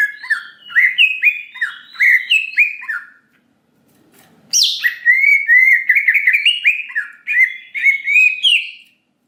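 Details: Greater green leafbird in gacor song with nembak and isian, played as bait to excite a quick emotional reply: two bursts of fast tumbling downslurred whistles, separated by a brief silence, the second opening with a sharp buzzy note.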